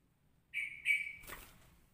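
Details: Straw-headed bulbul ropelan song variation, described as a blend like cucak rowo and cucak jowo styles: two bright, steady whistled notes, the second longer and stronger, over faint low background hum.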